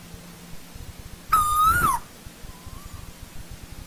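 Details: A single loud, ringing whistle from an Asian koel in old-growth forest: steady, then rising and falling at the close. A faint softer note follows after it.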